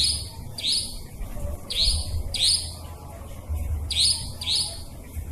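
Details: Nightjar lure recording for trapping, said to work day or night, holding a clear forest nightjar voice: shrill, high rising notes repeated in pairs and short groups roughly every second over a low rumbling hum.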